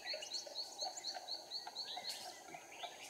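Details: Decoy red-whiskered bulbul in Hòa Bình, Vietnam, singing to lure birds into a trap: a quick series of short repeated whistled notes, roughly two per second, mixed with warbling phrases and faint background birds.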